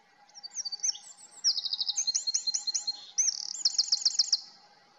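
Eurasian wren pouring out a loud, rapid, high song of sharp notes and fast trills, several phrases in quick succession, with a faint steady hum beneath.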